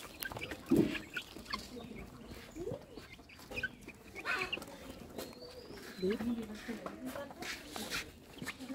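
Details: White yard chickens moving about, hens clucking: scattered low clucks and short calls across the stretch, one louder cluck early, with faint thin whistled notes of other birds and background noise.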